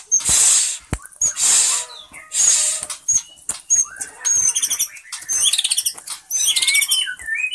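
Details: Indonesian white-rumped shama (murai batu) singing while staying at one spot: three harsh hissing bursts open, followed by sharp clicks and then bright whistled notes and quick trills climbing and falling.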